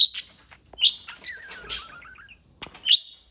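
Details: Playing parrot: bright clipped chirps about once a second, broken by a descending wavy warble, with brief silences between notes.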